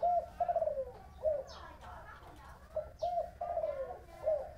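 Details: Spotted dove calling in Long An, Vietnam, in a 'thổ bầu' voice style: repeated soft low coos in short phrases, some notes drawn out and falling, with faint background noise.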